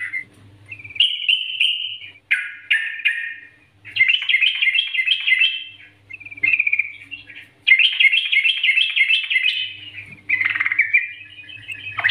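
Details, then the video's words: Yellow-vented bulbul master song used to provoke other bulbuls into singing, bubbly, chattering phrases of bright notes in quick bursts separated by short pauses, over a faint low hum. "Masteran Trucukan Gacor NGGARUDA"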